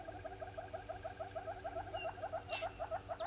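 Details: Southern red-billed hornbill at a waterhole on Djuma Game Reserve, Sabi Sand, South Africa, morning of 16 September 2020, walking around; quick, even string of hollow clucks, roughly three per second, with a brief higher chirp mid-way.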